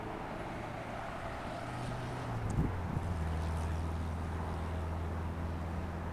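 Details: Deep vehicle rumble with wind noise and a brief knock, and no animal voices present.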